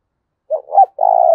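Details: Spotted dove lure call for training decoy doves: a short coo, a stronger second coo, then a sustained rough purring note that ends abruptly.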